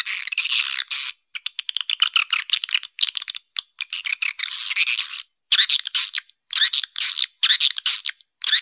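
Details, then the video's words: Swiftlet calling audio, Black Panther style, to attract swiftlets to the central nesting area: grating high twitters and rattling clicks in uneven bursts, with several clean pauses between phrases. "Suara Panggil Walet Black Panther Untuk Area Central Call Swallow Birds"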